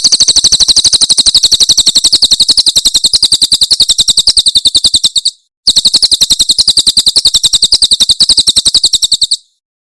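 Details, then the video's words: Javan prinia performing the tembakan Cililin song, cleanly recorded for tutoring songbirds: two extended bursts of fast, high, rattling buzzy notes separated by a short gap. "Masteran Tembakan Cililin SUARA SUPER JERNIH"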